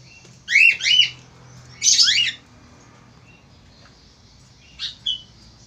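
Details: Male Australian falk, noted for being very vocal, gives a quick pair of shrill falling chirps, then a harsher buzzy squawk, followed by quiet and two softer short notes near the end.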